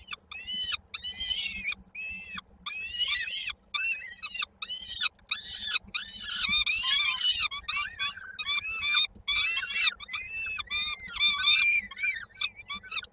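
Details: Peregrine falcon young at a Koszalin nest in Poland, 19 May 2022, calling for their mother and supper. A long, nearly unbroken run of shrill, grating, up-and-down squeals comes from several chicks calling at once, with only brief pauses.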